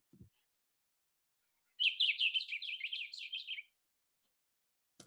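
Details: Blue Grosbeak, heard in spring, gives a rapid, jumbled warble of husky rising and falling notes about two seconds long, like a DJ spinning records, with faint clicks before and after.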